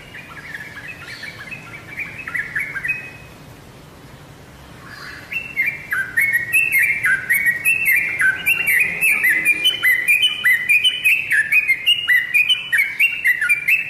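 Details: Yellow-vented bulbul song used as a lure to make kept birds answer: bubbly, chattering whistled phrases, a short quiet gap, then a dense continuous run of rising and falling liquid notes with sharp high ticks above.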